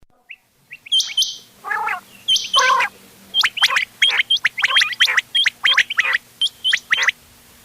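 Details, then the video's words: Mixed calls of quail, used as a lure for hunting: sharp, high chirps in quick succession, several per second, with a couple of harsh, raspy bursts early, over a faint low hum. "گھونگے وال دوغلا چنگا بٹیروں کی مکس آواز quail bird sounds for hunting bater ki awaaz"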